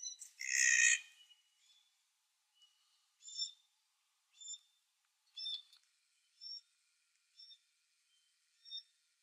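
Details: A glossy black cockatoo feeds its fledgling: a harsh, rasping burst opens, then the fledgling gives short, high, squeaky begging notes about once a second.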